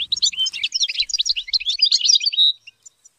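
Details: Captive European goldfinch in training delivering a continuous, rapid high twitter of jumbled chirps and slurred notes, ending abruptly after two and a half seconds.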